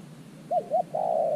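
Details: New decoy spotted dove calling from an earthen trap set for wild doves: two quick soft upturned coos, then one long, steady low coo.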